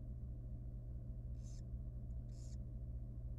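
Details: Very young wild barn owl nestling in a nest box at feeding time: two sharp, hissing bursts about a second apart, after a quiet stretch of low hum.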